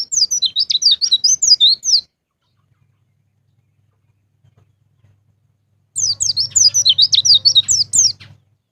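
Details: Pancingan pleci recording in the ngalas ngeplong style, meant to get caged white-eyes singing: two two-second outbursts of quick, high, zigzagging chirps with a faint low hum under the second.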